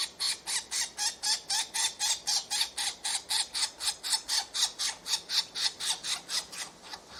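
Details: Woodpecker nestlings being fed at a nest: harsh buzzy rasping calls repeated steadily about four times a second in a continuous rhythmic series, with no other clear sounds.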